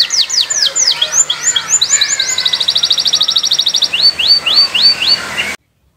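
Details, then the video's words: Canary singing on a Friday morning, a varied song of falling slurred whistles, then a fast even trill of rapid notes, then more downslurred whistles repeated about twice a second. "Gacoran Burung Kenari di Jumat pagi"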